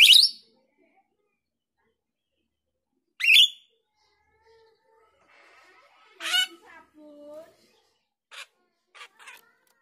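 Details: Female grosbeak starling used as a lure: harsh, high scratchy bursts at irregular intervals, followed by short clicks and faint lower squeaky notes.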